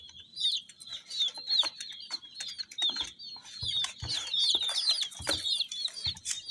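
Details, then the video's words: Coloured chicks give a steady stream of high, thin peeps that blur into one another, mixed with frequent clicks, taps and rustling. "Chicks Chirping"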